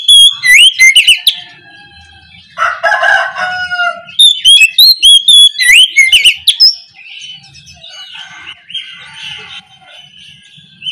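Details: Oriental magpie-robin singing loudly in the morning, 'ngeplong' style: fast whistled runs mixed with a harsh, raspy passage, then quieter scratchy twittering toward the end.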